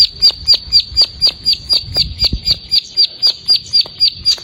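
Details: Plain prinia singing for an untrained (bahan) bird to copy: a crisp, high chip note repeated steadily about four times per second, bright and even, over faint low background sound.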